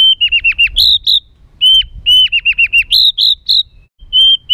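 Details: Rough, agitated white-rumped shama song meant to excite other birds: clusters of quick hooked whistles, followed by higher ringing notes, phrases repeated with short pauses.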